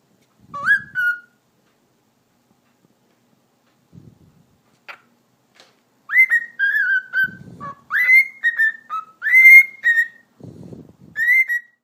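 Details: Pet cockatiel known for talking, here whistling. After a lone whistle and several quiet seconds with faint rustles, a lively run follows of rising and falling clear notes, some upswept, repeated less than once a second, with low shuffling between them.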